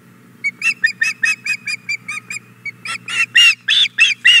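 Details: Osprey female begging at the nest for a fish the male has brought, Hog Island Boathouse, morning of 4 May 2017: a rapid chain of squealing chirps, softer at first, then louder and harsher toward the end.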